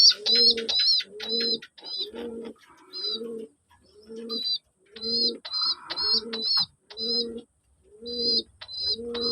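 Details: Male local deshi pigeon in bak or kum calling: low, throaty coos about once a second, overlaid by high, sharp, doubled chirps from other birds repeated throughout.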